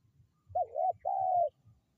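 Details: Spotted dove used as a lure call to draw in wild birds: a short bent coo followed by one long, steady, slightly falling coo, both mid-pitched and clear, with faint low rumbling beneath.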